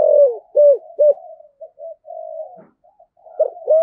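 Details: Cúc đinh calling coo of a spotted dove with a thổ voice: three loud, hollow hoots open, followed by soft, low murmured coos and two louder notes closing the phrase.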